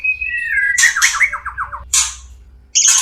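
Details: Caged white-rumped shama, breeding-stimulus song: a sustained whistle slides into a quick series of repeated descending slurred notes, broken by harsh noisy bursts and a high thin note at the end.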